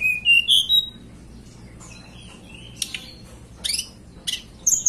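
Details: Wild-origin blue flycatcher from the Banten and West Java highlands, Indonesia: loud rising whistled phrase at first, then quieter whistles broken by sharp, high chip notes.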